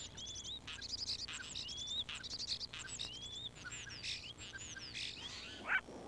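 Songbird calls: rapid high chirps and thin whistled slurs, some rising, some falling, repeated in quick bursts over a faint background hiss.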